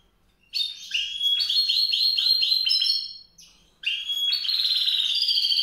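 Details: Sustained high, rippling trill phrases from a white-rumped seedeater, two long bursts of rapid repeated notes separated by a brief pause.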